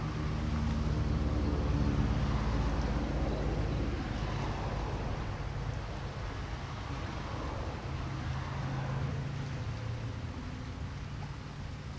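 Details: Steady low engine drone, like a passing vehicle or boat motor, with outdoor background noise and no animal calls.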